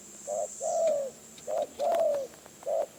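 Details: Wild spotted dove from the forests of Phrae, Thailand, drawn in by a decoy bird. It gives mellow, hoarse coos: short notes followed by a longer drawn-out, slightly falling coo, repeated about every second. There is a faint high hiss.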